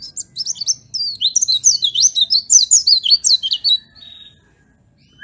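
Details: High-pitched, rapid Oriental white-eye twittering used to stimulate caged birds into song: a continuous tumbling stream of thin slurred notes that fades into a soft trill.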